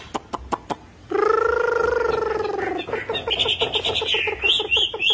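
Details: Chinese hwamei singing in the khiển khách style with its belly feathers fluffed: a few sharp clicks, then a long, rich, slightly falling note, breaking into quick repeated notes that climb into high whistles.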